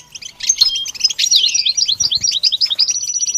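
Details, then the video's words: A goldfinch sings a fast, high, tinkling twitter of liquid notes and short trills, ending in a quick run of evenly repeated bright notes. "training the goldfinch to sing"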